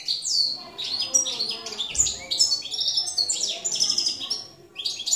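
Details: Goldfinch of the campero type, recorded in 2017, pouring out a bright, jumbled twitter of quick rising and falling notes and short buzzes, ending in a brief pause before resuming.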